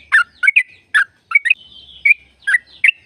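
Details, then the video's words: Sooty-headed bulbul in lively, full song, used as a lure to prompt other bulbuls to sing: clipped, bubbling notes and short chirps in uneven bursts, linked by a faint thin whistle. "Jadikan burung trucuk gacor trucukan gacor tempur ropel panjang"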